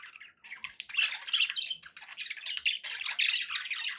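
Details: Pet budgerigars in a group, recorded for relaxation with background noise; dense chattering warble of squawks, chirps and scratchy notes, overlapping and continuous, with brief pauses.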